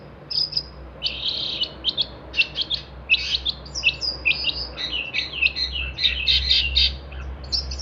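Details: Long-tailed shrike in full song, recorded as training material for songbirds: harsh, buzzy bursts and scratchy chattering phrases tumbling in quick succession with short gaps, over a low steady background hum.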